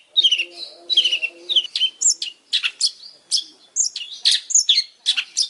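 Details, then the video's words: Busy long-tailed shrike song mixing descending whistled slurs, squeaky notes and harsh chips in a varied rapid flow, faint low hum in the background. "Suara burung pentet super gacor"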